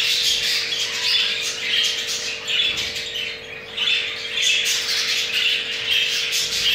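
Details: Captive male jumbo crested budgerigar mating, his pair having laid two eggs; bursts of grating warbled chatter with a short lull midway, then resuming, constant low hum throughout.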